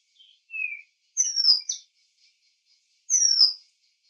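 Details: Oriental magpie-robin giving clear, loud whistled notes: a short level whistle, then high sharp notes that slide steeply downward, repeated after a pause, with faint soft notes between and an otherwise quiet background.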